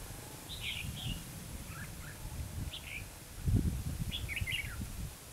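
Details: During trapping at Hòa Mạc in Hà Nam, Vietnam, a red-whiskered bulbul gives several short lilting warbled phrases, separated by gaps, against heavy low rumbling noise that swells in the second half.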